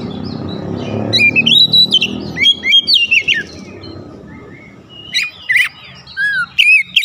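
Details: Lure song, or pancingan, of an oriental magpie-robin to raise excitement: rising whistles and varied phrases over a low rushing hum early on, later crisp high notes and downslurred whistles.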